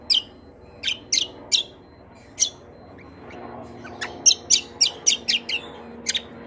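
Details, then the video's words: Greater green leafbird (cucak kombo) in long-rolling 'roll panjang' song, said to answer kecial kombo calls at once: sharp high chirps, some in pairs, then a faster burst of about eight chirps over a faint background hum. "CUCAK KOMBO KECIAL KOMBO ROLL PANJANG GACORR||KECIAL KOMBO MANAPUN LANGSUNG NYAUT"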